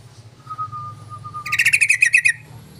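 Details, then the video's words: Yellow-vented bulbul call played as a lure to attract others of its kind: a thin even whistle followed by a burst of rapid, harsh, stuttering notes, against a continuous low mechanical hum. "TONTON SUARA PANCINGAN BURUNG TRUCUKAN❗TRUCUKAN PASTI NYAUTTTTT❗"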